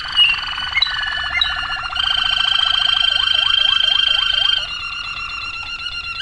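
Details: Singing waterslager canary: a fast buzzing roll builds into a loud sustained trill, with a row of deep hooked, gurgling notes repeated quickly in the middle before it softens.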